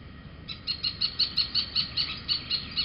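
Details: A little owl at Holten, 2 June 2020, 21:18, gives a rapid series of sharp, high, yelping alarm notes, about five per second, over a faint low rumble.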